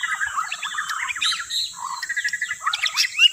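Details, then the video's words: Lure song of white-rumped shama: rapid chains of short whistled notes, some rising, some falling, mixed with bright squeaky chirps, against a steady high tone. "KUMPULAN Pikat burung murai batu TERBAIK"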